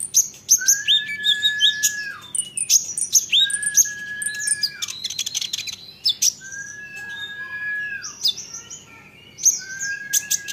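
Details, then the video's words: Olive-backed sunbird song used to trigger answers from other sunbirds: long, flat, mid-pitched whistles held over a second and ending in a downward slur, repeated four times, mixed with high squeaky chips. "Isian Kolibri Ninja, Dengar ini konin lain pasti nyahut gacor doooorrrr"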